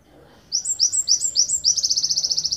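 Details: Java sparrow endemic to Ponorogo, Indonesia, singing a long 'tembakan panjang' phrase used as a master recording for training songbirds: high, sharp chirps, a few slurred notes, then a fast, even run of about a dozen ticking notes.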